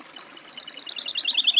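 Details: Woodlark (Lullula arborea) song phrase: a rapid string of about fifteen short, clear whistled notes, starting softly and growing louder and slightly lower in pitch as the series runs on.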